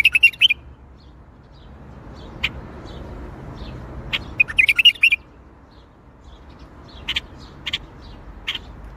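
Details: Bulbul performing Baghdadi-style song: two fast, bright warbling phrases, one at the start and one mid-clip, with scattered sharp clicks and short chirps between over a quiet low hum.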